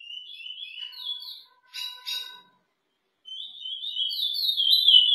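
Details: Chestnut-bellied seed finch (Sporophila angolensis), song.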